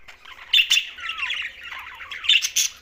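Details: Green budgerigars near Larkana, Sindh, chattering around mealtime: a dense, scratchy warble of overlapping chirps with two sharp, loud squawks near the start, a thin falling whistle, and more loud squeaks at the end.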